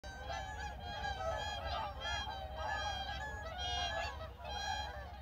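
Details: Seven Whooper swans landing after flight at Baedalji reservoir give loud, trumpeting, bugle-like honks in overlapping bursts, with a steady low rumble of wind or water underneath.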